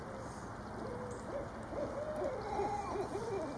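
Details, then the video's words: Female Barred Owl calling when her mate visits: a rising series of hooted and wavering notes, fairly faint at first and building, partly masked by background hiss. "Female Barred Owl gets a visit from her mate. A lot of loud calling!"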